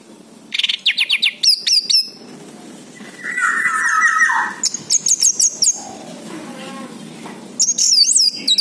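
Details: Orange-headed thrush song played as a lure to get silent birds to answer: bursts of rapid, high, sharply slurred chirps, a lower buzzy warbled stretch in the middle, then more quick piercing notes after a pause.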